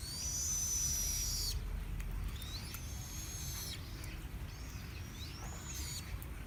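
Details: Chinese blackbird song: an opening sustained high whistle followed by several shorter swooping whistles that rise and dip, over a constant low rumbling background noise.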